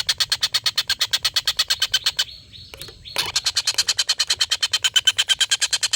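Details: Long laughing call of a collared kingfisher, a master for training contest songbirds. Fast rasping kek notes run on, break for about a second with thin high whistles, then resume at the same quick, even rate.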